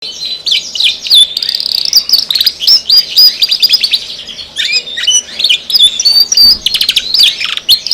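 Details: Canary singing energetically, described as gacor, a vigorous nonstop singer: dense rapid chirps, warbles and rolling trills in high runs with brief pauses, louder bursts toward the end.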